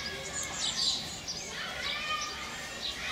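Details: Young barn swallows at the nest in late May during feeding by both adults, producing a busy chorus of thin, high twitters and squeaky chirps that swell briefly then carry on steadily.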